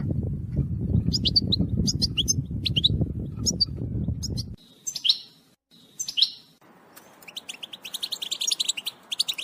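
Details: European goldfinch calls and twittering to prompt males to sing: spaced bright chirps over low rumble, a few louder sliding calls, then a fast continuous twitter at the end.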